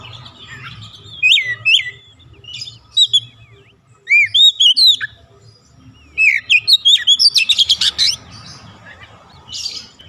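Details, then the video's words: Varied song of an oriental magpie-robin: sweet rising and falling whistles, looping slurred notes, then a quick train of scratchy repeated notes and a buzzy burst, with gaps between phrases and a low steady hum in the background. "terapi atasi Kacer malas bunyi cepat gacor"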